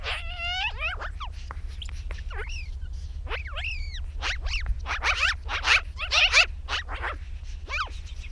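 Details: A chatty magpie coming in to land on a post gives clear whistled notes that rise and fall, then breaks into dense, harsh, noisy chattering bursts. A steady low hum runs underneath throughout.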